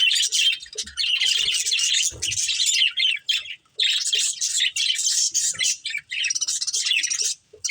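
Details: Caged budgerigars, a breeding pair, in long runs of high, scratchy warbling chatter separated by brief silences.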